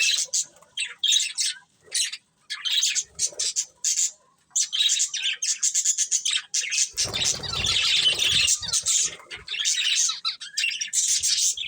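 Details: Budgies with bright plumage chirp in clipped bursts at first, then merge into a steady, buzzy warble of overlapping squeaks, with a rustling thud around seven seconds.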